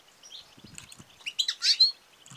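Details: Female European goldfinch calling to stimulate male singing and mating: soft twitters building into louder, buzzy, slurred high chirps.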